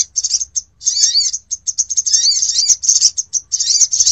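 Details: Sogon lure sound for drawing in birds: rapid, shrill, scratchy chatter with sliding notes, delivered in quick overlapping bursts with barely any gaps, over a faint low background hum.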